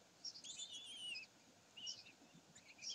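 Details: Kestrels recorded at Sägeweg, 27 May 2020, give a long quavering high-pitched squeal that wavers up and down for about a second, then two shorter squeaky notes follow after a pause.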